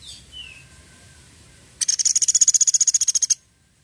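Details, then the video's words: Sampit woodpecker in lively voice, giving the "tembakan" burst call: a brief falling whistle, a pause, then a very high, fast rattle of about twenty crisp pulses ending abruptly. "SUARA TEMBAKAN PELATUK SAMPIT GACOR"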